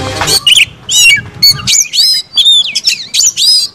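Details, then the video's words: White-rumped shama, a kacer bird kept for song, delivering a fast varied song of high whistled and buzzy phrases, some squawky notes, with a low rumble in the first half. "Buktikan dengan kicau kacer ini, kacer bakal ngamuk || kacer gacor"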